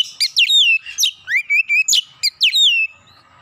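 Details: Oriental magpie-robin singing to provoke a rival magpie-robin: loud, varied phrases of sharp descending chirps mixed with clear rising whistles, delivered rapidly.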